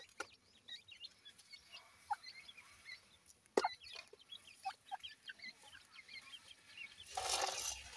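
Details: Grey francolin chicks feeding, giving many soft, high, short chirps scattered throughout, with occasional louder clicks and a burst of rustling noise near the end.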